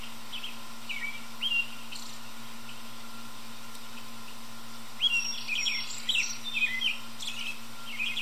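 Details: American robin high in a tree in early evening, singing: scattered brief warbled phrases at first, then a denser burst of quick, slurred notes about halfway through, over a continuous low hum.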